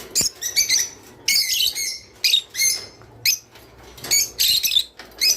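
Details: Java sparrow singing, a sound meant to prompt mating: short high chips and bell-like tinkles in clusters about every second, with a longer ringing phrase near the middle and quiet gaps between.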